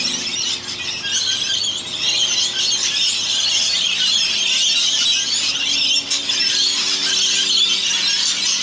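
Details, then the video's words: Noisy rainbow lorikeets, around a hundred of them bathing in a rain gutter in Australia, give piercing, overlapping screeches in a dense, unbroken chorus. "Noisy Rainbow Lorikeets"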